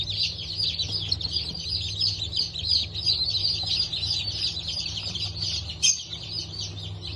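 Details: A new hatch of Brahma and Wyandotte chicks, 19 October 2024, peeping busily: many rapid, high, slightly wavering cheeps run on continuously, with a brief sharp click near the end and a low background hum.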